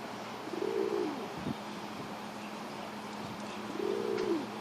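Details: A pigeon chasing another gives two low, rolling coos about three seconds apart, each a soft rising-then-falling hum, over a steady background hum.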